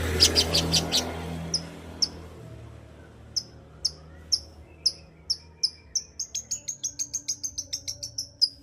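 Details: A lively long-tailed shrike singing as a lure to rouse silent shrikes: after a noisy, rattling start, sharp high ticks come singly, then speed up into a rapid, even chain of clipped notes.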